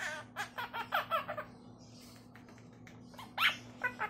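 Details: Pet monk parakeet kept indoors, imitating its owners' everyday speech and tone, saying its own name and phrases like hello and come here; a run of short speech-like syllables, a pause, then a few more, over a steady room hum.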